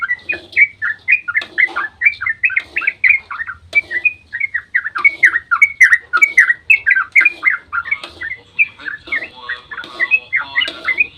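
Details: Long dawn ropel of a yellow-vented bulbul, played to provoke other bulbuls into answering; rapid continuous chatter of liquid slurred notes with brief pauses, some higher sharp clicks.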